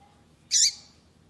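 A single short, high, slightly harsh chirp from a female double-collared seedeater, given to prompt the male into song, over a faint low background hum.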